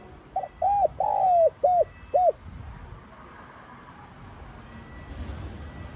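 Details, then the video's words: Spotted dove giving a 'giọng son' calling coo. One phrase near the start: a brief lead note, round coos, a long sliding coo, two short hoots. The rest is quiet background hiss with a faint thin tone. "Tiếng Cu Gáy GIỌNG SON [ GÁY GỌI - THÚC ]"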